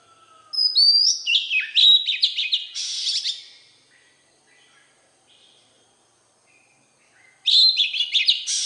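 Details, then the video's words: Oriental magpie-robin with its wild-type voice: a long whistled opening, then tumbling rapid warbles and chatter, a few seconds of near silence, and a fresh burst of quick, varied notes at the end. "Chích Choè Than giọng rừng kích bổi"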